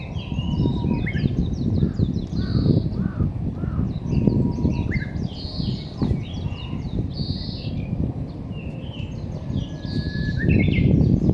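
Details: Birds calling among roses at Hakkeijima: many short, high chirps and rising and falling whistled notes overlap in a busy chorus throughout, over a steady low rumble of background noise.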